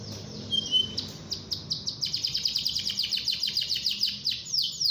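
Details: Canary in full song, played to get other canaries singing: a brief pure whistle, then quick sharp chips building into a steady rapid series of downward-sliding notes.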